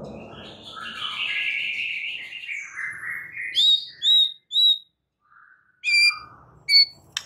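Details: White-rumped shama training song for rousing other shamas: a drawn-out buzzy warble, then short clear high whistles and sharp piping notes separated by brief silences.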